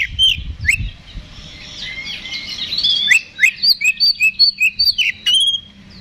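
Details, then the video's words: Fighting song of an Oriental magpie-robin played to provoke a rival: varied scratchy warbles and sharp upslurred whistles, ending in a quick series of about a dozen repeated chirping notes, roughly two or three per second. "KACER GACOR NGEPLONG TARUNG !! PANCINGAN KACER PALING AMPUH BUAT MENAIKAN EMOSI KACER AUTO RESPON"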